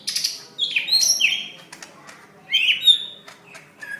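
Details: Fighting call of a greater green leafbird from May 2016, used to draw out other birds' voices for training: harsh, buzzy descending slurs and sharp high whistles in short bursts with brief pauses.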